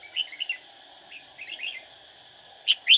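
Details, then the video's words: Red-whiskered bulbul used as a decoy while trapping, singing to lure rivals: short bright chirping phrases in scattered bursts, then two louder sharp notes at the end, with a steady insect-like hum behind. "Bẫy chào mào Lăng xăng mau mồm"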